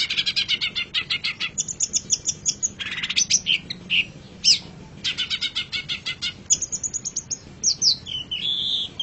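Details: Long-tailed shrike, called pentet or cendet, in a songbird training master recording: a dense, continuous stream of rapid chattering notes, harsh buzzy bursts and thin high whistles, loud and unbroken throughout.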